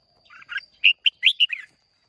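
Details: Red-whiskered bulbul from Hoà Bình, Vietnam, singing competitively on 30 May 2023: one crisp phrase of about six loud, clear, slurred whistled notes in under two seconds, with a faint steady high whine behind.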